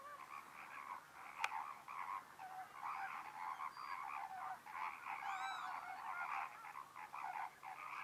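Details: A flock of American flamingos (Phoenicopterus ruber) at a lagoon fish-farm nature reserve on 4 January 2024 gives a steady, overlapping chorus of nasal, goose-like honks and grunting gabble, a few higher whistled notes rising above it.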